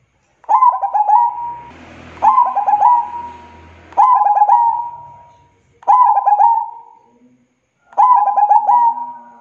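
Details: Local perkutut (zebra dove) singing lively and loud: five cooing phrases, each a quick stutter of notes ending in a held hum, repeated about every two seconds, with faint low rumbling in the background.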